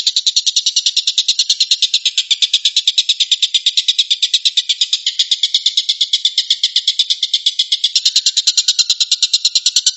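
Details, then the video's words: Long-tailed shrike (tengkek buto) delivering the 'tembakan' song: a long, fast series of scratchy, buzzy notes at a steady machine-gun rate, holding its pace and loudness for about ten seconds. "kicau tembakan burung tengkek buto"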